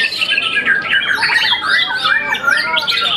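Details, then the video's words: A brief burst from a young, once-moulted White-rumped shama contest champion: quick swooping whistles and chattered notes, about two or three phrases each second. "murai batu muda mabung satu kali"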